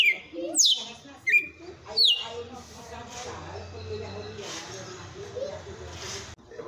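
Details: Red-cowled cardinal giving three sharp falling whistles of its 'açoite' song, then going quiet while a low hum and distant voices fill the rest.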